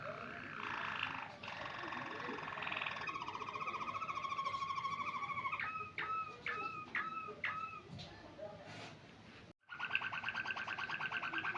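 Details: White Waterslager canary singing, starting with dense rolling trills, then a sustained two-tone note, a series of short upward-bent whistled notes, a brief pause and a final steady rolling trill.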